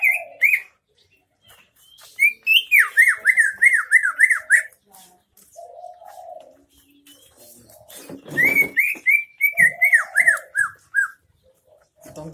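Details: Greater green leafbird from Central Aceh singing in the isian MB style: bright whistled notes near the upper-middle range, rapid chains of sharply down-slurred chips repeated several per second, with softer lower warbled phrases between bursts.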